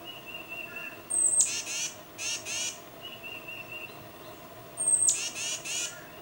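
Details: Tufted titmouse calling its mate, recorded with a Nikon D800: twice a thin high whistle opens a run of three to four harsh, raspy notes. A faint steady mid-pitched tone runs beneath, with quiet background otherwise.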